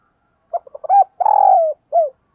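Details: Spotted dove used as a decoy, calling to attract wild doves: a few quick clipped notes lead into a rising coo, then a long, slightly throbbing coo that slides down, ending with one short falling coo; no other sounds.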